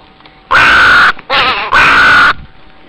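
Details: Crows calling at a zoo on Pentecost Sunday morning: three harsh, very loud calls in quick succession, the middle one rougher and wavering, the outer two long and grating.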